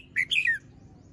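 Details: Young, still-moulting Red-whiskered bulbul singing in the morning, a short, bright phrase of two to three warbled whistles that ends with a downward slur.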